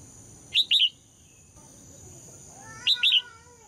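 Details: Red-whiskered bulbul, female, singing to provoke males: two phrases of three quick whistled notes about two seconds apart, with a faint lower whine under the second.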